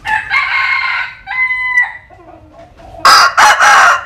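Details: Roosters basking in sunshine in Vietnam's Mekong Delta. A drawn-out crow with a clear tonal end comes first, then quiet low clucks, then another powerful crow broken into loud choppy syllables.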